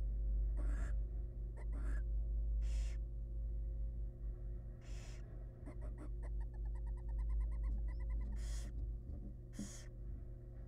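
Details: Wild barn owls at a monitored nest box as the male brings a huge rat to his family: harsh broadband hissing screeches in short bursts, plus a rapid run of evenly spaced ticking notes, over a steady low electrical hum.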